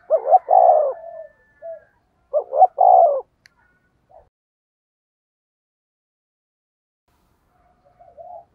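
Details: Spotted dove giving a driving coo meant to lure wild doves: two loud phrases, each a quick double note followed by a longer, falling mellow coo, spaced about two seconds apart, then a long silence with a faint coo near the end.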